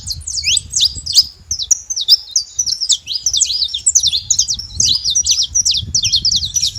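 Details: Saffron finch living free in the wild, delivering a lively song of rapid high chips and short slurred notes strung into a dense, chattering sequence with faint low background noise.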